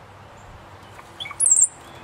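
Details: A male cowbird displays with a chest puff toward his reflection, giving a few soft low gurgling notes followed by a sharp, very high, thin whistle with a wavering end. The background is otherwise quiet.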